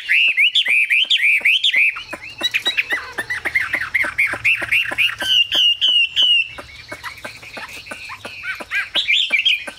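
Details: Chinese hwamei in full song: bright whistled phrases looping up and down, repeated several times a second, broken by sharp clicking ticks, with a brief higher sustained run near the end.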